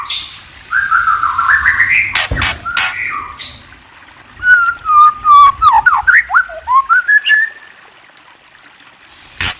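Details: White-rumped shama giving loud, clear whistled song: a rising drawn-out whistle, a few sharp clicks, then a quick run of short slurred whistles, several swooping downward, ending in a brief rising note.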